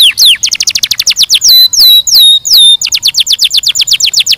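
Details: Singing canary: a quick series of bright, high notes, then three drawn-out whistles that sweep down and hold, followed by another fast, regular trill.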